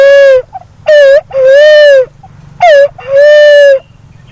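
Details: Loud two-note hooting of a black-naped fruit dove, called punai walik haji or walik kembang. A short bent note leads into a long, even hoot, repeated at a steady pace with soft low rumble behind.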